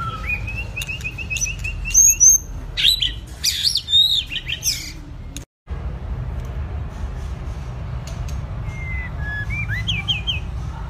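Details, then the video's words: White-rumped shama of two seasons, in stamina training: a loud burst of piercing high whistles and fast repeated notes, a brief silence, then softer varied whistled phrases. "chòe lửa tập lực.lửa bổi hai mùa | murai batu"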